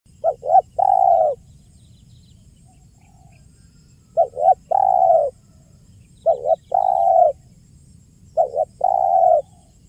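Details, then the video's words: Spotted dove calling, a recording used as a lure for trapping: loud cooing phrases of two short notes then a long drawn coo, repeated about every two and a half seconds over faint low hum. "SUARA JERNIH BURUNG TEKUKUR KUK 1 GACOR PALING AMPUH UNTUK PIKAT DAN PANCINGAN"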